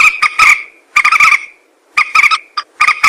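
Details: Moorhen hunting call: three short bursts of harsh, croaking notes, each burst about half a second long, separated by pauses.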